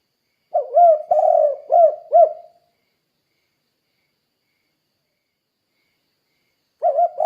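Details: Spotted dove in energetic voice, its call played to prompt derkuku doves into calling: a phrase of four low, hollow coos, the second longest, then a pause of about four seconds before the phrase starts again.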